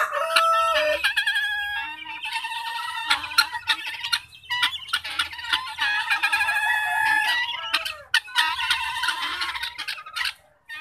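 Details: Guinea fowl kept at home, ten in an enclosure and four young. A steady, raucous chorus of rasping, repeated calls runs nearly throughout, many birds calling over one another in quick irregular pulses.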